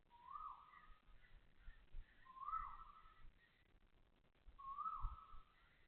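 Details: Loud Asian koel calling at 6:30 am on 20 October 2025 at Toa Payoh Lorong 8, Singapore: three whistled, swooping notes that rise then slide down, spaced about two and a half seconds apart, over low background rumble.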